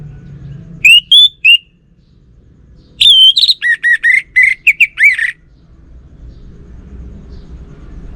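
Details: Orange-headed thrush in loud song: a short triplet of clear whistles, then a longer run of about eight quick whistled and slurred notes dropping in pitch, over a soft background rumble.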